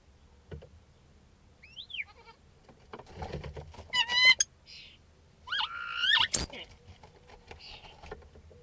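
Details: A common starling sings a jumbled mimicking medley of slurred whistles, clicks and bleat-like wavering notes; its song includes imitations of rooster crowing, sheep bleating and buzzard-like calls.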